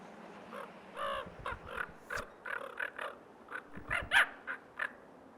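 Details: Common raven in Yellowstone's Lamar River Valley, early April with snow on the ground, harassing a great horned owl that stalks it; a string of rough, rasping caws and clipped croaks, uneven in spacing and rising to a louder final burst.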